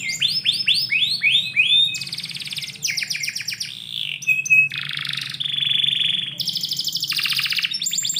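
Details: Canary singing indoors in the morning: a run of descending swept whistles, then buzzy rapid trills, a steady whistled note and more high rattling phrases, changing tour every second or so.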